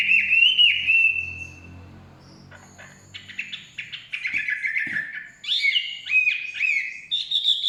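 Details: Chinese hwamei singing in the forest: a loud, long, slightly rising whistle, then after a pause a busier run of quieter mixed notes and slurred whistles, with faint low rumbling below.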